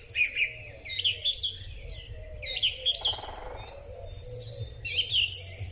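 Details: Spring song thrush recorded with a Huawei P30 Pro phone, delivering bright whistled phrases repeated at about one-second intervals, with brief buzzy notes between them and a low, soft wavering tone underneath.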